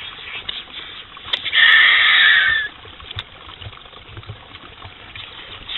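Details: Griffon vulture (Gyps fulvus) gives a single harsh, hissing rasp lasting about a second, over faint rustling and background noise.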